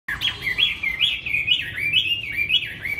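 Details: Tame, fight-trained Chinese hwamei held captive in Hanoi, singing on a very windy, cold day: a continuous run of loud, rising and falling whistled phrases, rapid and varied, with steady wind rumble low beneath.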